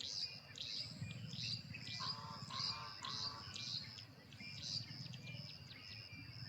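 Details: A bold male Carolina wren sings his loud teakettle-teakettle song from a perch in a yard, declaring territory. Ringing high phrases repeat rapidly, nearly twice a second, over a steady low rumble.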